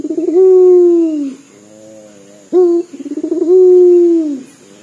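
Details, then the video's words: A local puter dove with a crying quality to its voice: a long falling coo, a soft low murmur, then a short abrupt note and another rolling, drawn-out coo. "PUTER LOKAL GACOR DOR SUARA SEPERTI MENANGIS"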